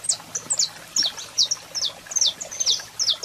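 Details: Saffron finch, male singing as a female calls, meant to fire up birds: spaced, high, crisp chirps, roughly two or three per second, each a quick downward slide.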